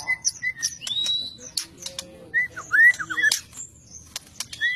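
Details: White-rumped shama, a fighter-type bird noted for its varied fighting styles and unique voice, giving a rich varied song of clear whistled slurs, rising and falling notes around mid-high pitch, interspersed with sharp clicks and rapid chattering bursts.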